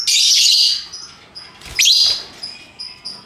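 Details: Lovebird, a colourful hooked-bill bird, in ngekek voice: a strong harsh chattering burst, a second rasping squawk, then thin high short whistled chirps trailing off.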